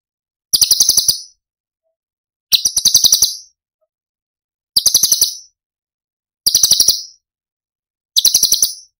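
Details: Cucak cungkok from Cililin, recorded as a masteran for tutoring other songbirds and featuring its tembakan phrases. High, sharp rattling bursts of rapid pulsed notes, each under a second long, repeat about every two seconds in silence.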